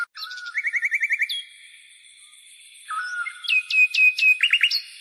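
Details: Dawn birdsong: a quick string of rapid repeated chirps, a pause filled by steady high ringing, then a falling whistle and a few louder sharp downslurred notes.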